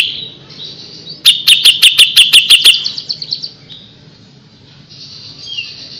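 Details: Grey-cheeked Bulbul in active song for a tutor recording: a quick series of about ten loud, clipped notes that fades into a softer chatter, with a faint high murmur before and after.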